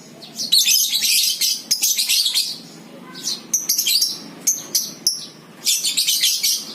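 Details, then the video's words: Lovebird ngekek used to lure other lovebirds into song: bursts of piercing, fast, high-pitched twittering, alternating with scattered single chirps and brief quieter spells. "PANCINGAN 100% NGEKEK BURUNG LOVEBIRD!! AUTO NGEKEK"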